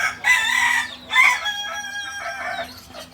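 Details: Purebred Kukuak balenggek chicken from Solok, West Sumatra, crowing in two loud bursts followed by a longer, gradually fading tone with clear harmonics.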